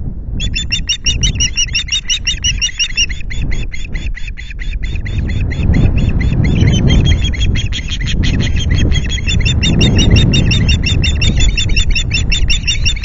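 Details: Wild osprey calling at the Loch Garten nest as fish is brought in on a July afternoon: a long, insistent stream of piercing chirped notes, nearly three a second, barely pausing for thirteen seconds over constant low wind noise.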